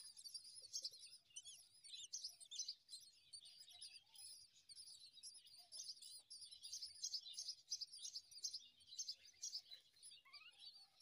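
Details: Common myna nestlings being fed by a parent in the morning: a dense, unbroken chorus of thin, high-pitched cheeps and chirps for the whole stretch, with a few faint lower whistles underneath.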